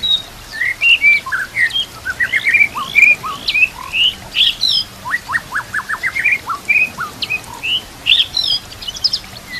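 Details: White-rumped shama song for training other caged shamas, with mimicked kapas tembak and Cililin canary phrases: a fast series of varied clear whistled notes, many rising or falling, given in short bursts with brief gaps.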